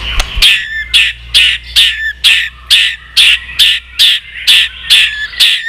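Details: Contest-ready white-rumped shama, an old wild-caught bird, repeatedly tail flicking and giving a steady series of eleven rasping clicking calls, roughly one every half second, over faint low hum.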